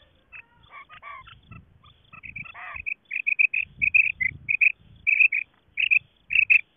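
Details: Quail hen call, Khyber Pakhtunkhwa, Pakistan, which hunters use to attract quail: a rapid jumble of notes gives way to steady, evenly spaced high double notes, with soft low rumbling underneath.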